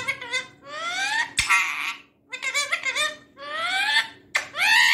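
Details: Indian ringneck parakeet talking: loud harmonic squawky phrases with stacked rising tones and rasping bursts, in several separate utterances with short gaps, recorded indoors.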